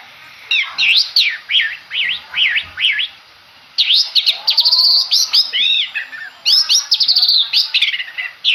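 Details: Long-tailed shrike of the Madura type, a contest bird, singing: a run of quick V-shaped rising-and-falling whistled notes, a short pause, then dense rapid chattering phrases and sweeping slurred notes.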